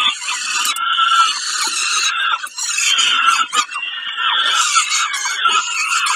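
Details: Peregrine falcon at Kawęczyn on 20 May 2022 during a snack: loud, harsh, grating squealing calls in long continuous bursts, briefly broken by short gaps and clicks, with no other clear sounds.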